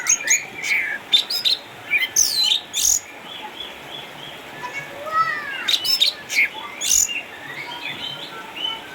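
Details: Eight-year-old caged orange-headed thrush, once a contest champion in Sukabumi and retired home with cataracts, singing vigorously: a rich, varied stream of sharp high whistles, slurred rising and falling notes and trills in quick bursts.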